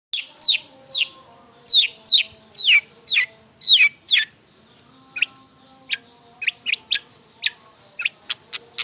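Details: A Long-tailed shrike sings a lively, varied run of sharp, descending chirps and quick high notes in fast succession, then sparser single clicks. A faint steady hum sits underneath.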